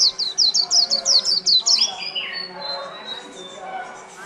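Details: Wild-caught white-eye caged for over a month, delivering líu-style song: a rapid burst of high, piercing down-slurred chirps for nearly two seconds, then softer, thin drawn-out whistles trailing away.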